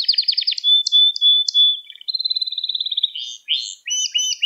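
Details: Domestic canary song meant for training young canaries: a fast rattling roll, separate bright chips, a long even trill of quick pulses, then varied whistled and sliding notes.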